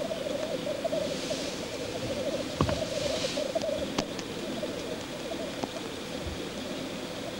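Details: Lekking black grouse give a steady, rolling bubbling coo that runs without a break, with a few faint clicks and soft background hiss.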